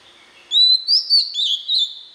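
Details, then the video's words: Oriental magpie-robin singing a training song for young birds: five quick bright whistled notes in a row, sliding up and down at a high pitch, with a faint tone underneath. "Luyện Giọng chòe than, ép giọng chòe than, cho chim non học giọng"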